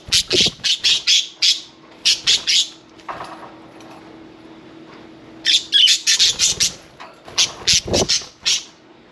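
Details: Budgie parakeets at bath time calling in two bursts of rapid, harsh, buzzy squawks, each burst about eight to ten notes, separated by a quieter spell of rustling and faint splashing.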